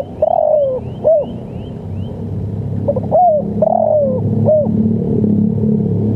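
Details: Spotted dove cooing, recorded as a model for training and luring birds: two phrases of soft low coos, each a long drawn-out note sliding downward followed by a short clipped note, over a steady low rumbling background.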